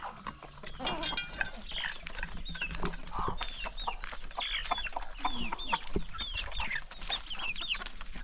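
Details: Chickens at a calm countryside morning feeding, the flock clucking steadily while thin, downward-sliding peeps repeat above a low background rumble.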